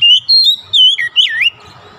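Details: White-rumped shama song played as a lure to draw other shamas into singing: a short burst of clear whistles, a sliding swoop downward then a looping warble, ending abruptly.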